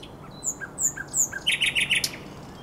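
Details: Common nightingale singing on the Żerań Canal on the night of 23–24 April 2022: varied high whistles and slurred notes, then a burst of rapid, buzzy repeated notes near the end.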